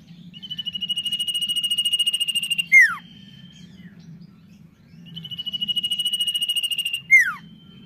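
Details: Energetic common iora song: two long buzzy trills of rapid even pulses grow louder for about two seconds, each finishing with an emphatic downward-slurred whistle. A soft low hum continues throughout.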